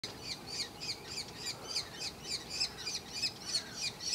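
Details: Young common kestrels being brought food by their parents, begging with high, shrill, slightly wheezy notes, about three per second, over faint outdoor background noise.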